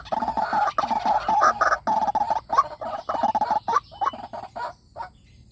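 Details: White-breasted waterhen lure call, played through a speaker to provoke wild waterhens into fighting: dense, harsh croaking pulses come several per second in uneven bursts separated by brief gaps.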